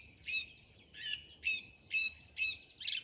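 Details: A bird sings in the morning, giving six short, scratchy, high chirping phrases, about two per second, over quiet background.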